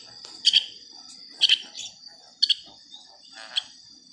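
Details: Baby bird peeping: sharp, high double chirps roughly once a second, each a quick pair of bright squeaks, then a softer final chirp, against a quiet background.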